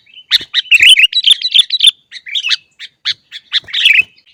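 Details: Sooty-headed bulbul singing energetically to train and stimulate caged birds: rapid chattering series of short, bright warbled notes, a run of quick phrases, brief pauses, then scattered sharp chirps and a final warbling flourish.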